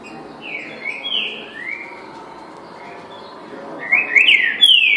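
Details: Green-winged saltator singing: clear, rich whistled phrases that slide up and down. A loud sweeping burst of notes closes the passage, with faint background hiss.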